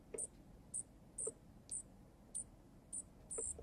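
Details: Wild baby junco on a balcony bird feeder built as a miniature pub, being fed by a male junco. Short, very high, thin squeaks repeat about every half second, with soft low taps between them.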